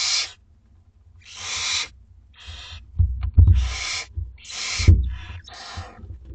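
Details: Barn owlets, two weeks old, begging at feeding time in a school garden: raspy, breathy hisses in about six bursts, irregularly spaced, over dull knocking sounds in the nest.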